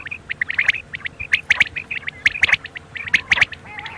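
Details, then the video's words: Night quail calling: a busy run of high clipped chirps in doubled and tripled notes, irregular but rapid, with a quiet steady hum in the background. "super new quail call hd | bater ki boli 2021 | بٹیروں کی بولی رات کے لیے"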